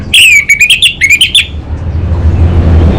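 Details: Orange-headed thrush singing the 'kabel konslet' style: a quick run of sharp, clicking notes over a buzzy tone that rises and falls, lasting about one and a half seconds, then a low hum.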